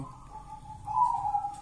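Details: Local wild zebra dove cooing: a soft, low, steady tone that swells louder and slightly higher in its second half before easing off, with a faint low hum underneath.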